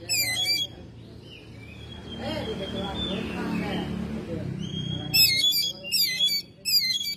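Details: Home-kept Oriental magpie-robin in May: chattering bursts at the start, a long quieter stretch with faint whistles and background hum, then several fast scratchy chatter phrases.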